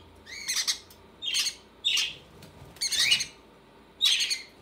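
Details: Hungry conure babies cry out while their mother feeds them: five raspy, wavering squawks about a second apart, some bending upward, with quiet gaps between.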